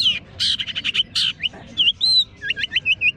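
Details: Long-tailed shrike singing at a bird singing contest, hung up on the contest pole: a quick, varied run of sharp chattering bursts, then clear whistled slurs and short rising hooked notes, with a low murmur of crowd noise beneath.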